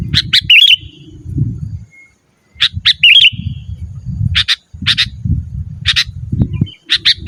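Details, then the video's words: Sooty-headed bulbul singing energetically, used as a master recording for training caged bulbuls: quick chirp pairs and a brief bubbly warble at the start, then scattered sharp notes over low background rumble. "Suara Burung KUTILANG GACOR Asli Tanpa ISIAN 100% Ampun Untuk Suara Panggilan dan Masteran"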